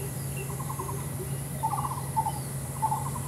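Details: Female lesser coucal, identified by white spots on the neck, raising its tail outside a window on 26 June 2023; short bubbling, rapidly pulsed notes come in quick groups over a constant low hum.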